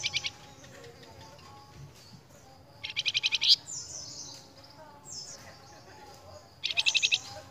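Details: Flamboyan song as a training lure for cage birds: three rapid, chattering high trills spaced a few seconds apart, each a tight string of pulses, with soft whistled notes and light background hiss between.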